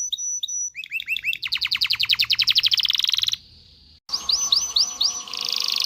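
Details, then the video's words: Canary singing to stimulate mating: repeated curved whistled notes building into a fast, loud trill, a brief pause, then looping upward-curving notes and a buzzy ending. "تغريد كناري لتدريب ذكور واناث الكناري على التزاوج. صوت كناري لتزوج .. Canary singing"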